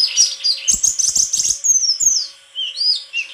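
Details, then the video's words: White-throated flycatcher in full song: a dense, busy chatter of high twittering notes, then clear whistled slurs dropping in pitch and a few rising whistles; soft low taps behind the singing. "Sikatan krongkongan putih suara gak kalah sama burung kicau lain"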